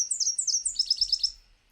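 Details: Nashville Warbler classic two-part 'sip, sip, sip, tea, tea, tea' song: four high, sweet paired notes, then a quicker, slightly lower trill of about six notes that fades out.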